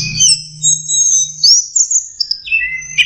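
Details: Young orange-headed thrush learning to sing: a long rambling stream of high thin whistles and sliding notes, some rising, ending in lower slurred phrases, over a steady low hum.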